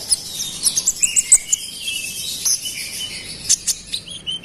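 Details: Konin song meant to stir up rival konin: a run of bright, rapidly repeated high notes, then thin sustained whistles and scattered chirps over soft background hiss.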